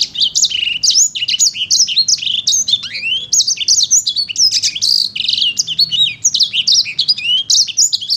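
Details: A sanger paud in full, vigorous song: a long unbroken stream of high, rapid, varied notes, sharp slurred whistles mixed with chattering twitters and a few lower downward swoops, continuing for several seconds with near-constant energy.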